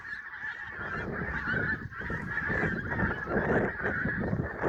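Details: A sunrise flock of geese at Prestatyn honks in a massed chorus, swelling toward the end, with crackling low noise like wind on the microphone.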